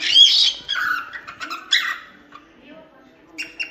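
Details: Cockatiel training song for chicks, a short bout of scratchy warbling chirps that fades to near silence before a brief final squeak.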